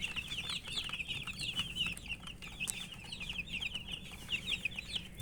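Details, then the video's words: Poultry chicks peeping for water, numerous high chirps blurring into a continuous warbling chorus, with light tapping sounds and a faint low drone. "Murgi chicks Chirping sounds"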